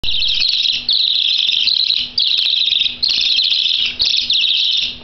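Budgerigar chicks beg for food with harsh, raspy, high-pitched buzzing calls, long bursts of about a second repeated almost without pause, over a faint low hum.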